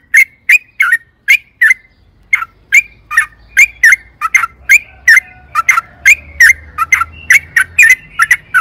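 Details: Sooty-headed bulbul in energetic 'gacor' singing, used as a lure to get caged birds singing: short, sharp whistled notes near the same pitch, repeated about every half second in a steady series, with faint low hum behind.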